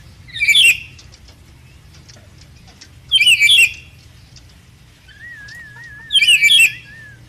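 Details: Red lory learning to sing, kept as a pet bird: three harsh, raspy screeches about every three seconds, plus a soft wavering whistle before the last one; steady low hum underneath.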